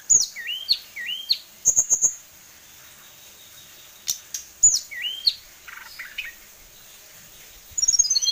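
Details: Tame kept sulingan gunung songbird known for many song variations sings short hooked, upslurred whistles in quick bursts, with high thin twitters and occasional clicks between phrases.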